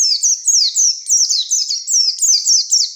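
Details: Oriental white-eye delivering continuous wild-style song meant to provoke a rival: an unbroken stream of high, fast chattering notes, each sliding downward, pulsing in loudness roughly three times a second.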